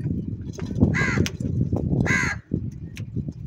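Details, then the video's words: Two strong, hoarse caws about a second apart from crows squabbling over food, heard over a steady low rumble of background noise. "Crow sound & Fight For Food"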